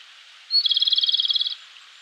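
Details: Japanese robin (Erithacus akahige) singing energetically in an early-morning mountain forest in Kōshin, Japan, in May: one high, clear introductory note, then a fast, ringing rattle of about eighteen even pulses lasting a second, against faint background hiss.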